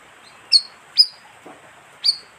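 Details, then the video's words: High, sharp chirps from a bayeman lure call, used to draw in wild birds: three piercing notes, two close together and one after a pause, plus a faint low thump. "suara pikat burung bayeman"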